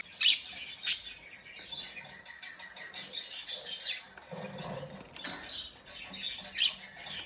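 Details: Happy, playing budgerigars giving bursts of high scratchy chirps and squawks, irregular and chattering, with a few louder sharp calls and a soft low murmur in the background.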